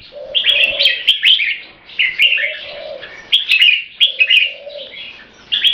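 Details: Tame competition red-whiskered bulbul, a purebred Thai bird of champion bloodline in a cage, delivers short bursts of rapid, scratchy keke notes separated by brief pauses, while soft low cooing sounds beneath.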